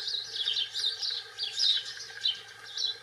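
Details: European goldfinch, subspecies britannica, singing in the wild: a rapid, high, liquid twitter of bright chirps and jingling trills running without a break, over a faint low hum.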